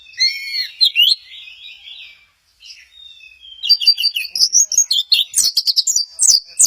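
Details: Orange-headed thrush singing at Kesamben; soft warbled whistles open, a quiet gap follows, then an energetic stream of high, sharp, rapidly repeated notes builds to the end.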